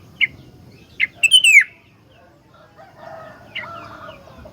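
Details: Sooty-headed bulbul, a caged tutor bird for training other bulbuls, gives a few sharp notes and one rich descending whistled phrase, then quiet with faint background chatter and clatter.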